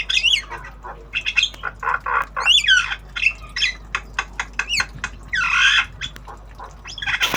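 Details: Jalak kebo, a black-winged starling, practising obyogan-style song: a dense, varied stream of harsh chatters, squeaky rising and falling whistles and scratchy buzzes, almost continuous for seven seconds.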